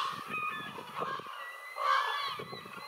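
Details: Raven with a drawn-out, nasal, honking call near the middle, after softer rough notes, against low rumbling background noise.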